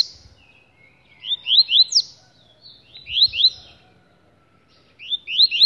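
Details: A caged double-collared seedeater, cage held in hand, sings short, bright phrases of quick upward-slurred whistles and twitters, repeated about every two seconds, over a faint low background rumble.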